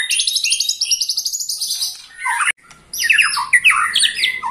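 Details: White-rumped shama, 21 years old and still singing with vigour: a fast, high, evenly repeated trill, a brief break, then loud slurred whistled phrases.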